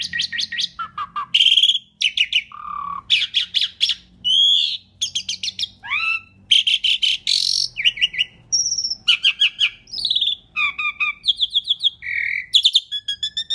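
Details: Long stretch of Asian pied starling song, used to lure other birds: varied mix of buzzy rasps, whistled swoops, dry clicks and trilled notes in quick succession, loud and clear.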